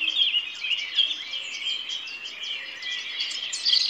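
A robin sings a high, thin, tinkling warble of rapid twittering notes that run on almost without pause, over a faint hiss of background noise.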